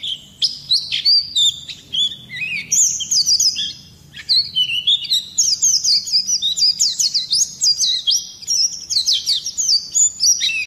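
An Oriental white-eye pours out a high, rapid, rolling twitter of thin sweeping notes in long unbroken bursts, with short pauses and no other sounds.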